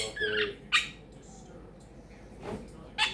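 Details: Pet quaker parrot chatting indoors, a bird said to say phrases like peek a boo and give me a kiss; brief squeaky harmonic chatter, a bright sharp note, then a pause and a further short squawk.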